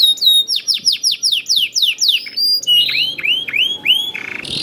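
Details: Young canary singing persistently, used as a lure to get other canaries to sing: a run of rapid, high, downward-sweeping whistled notes about five per second, then lower upslurred notes and a brief buzzy rattle at the end.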